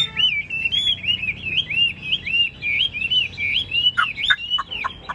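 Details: Vietnamese caged Chinese hwamei pours out a continuous, rippling chain of bright whistled loops, ending with a few sharp, downward-slurred notes.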